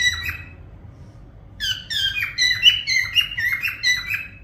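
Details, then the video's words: A brief whistled phrase from a parrot, then a pause of about a second. A fast string of rising, harmonic-rich whistles follows, roughly four per second. "parrot sound whistling"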